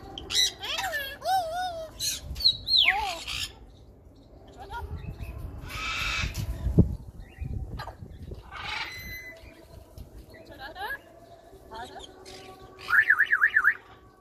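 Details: African grey parrot kept as a pet, talking non-stop, gives a varied run of wavering whistles, clicks and harsh squawks, with a broad hissing rush midway and a trilled warble at the close.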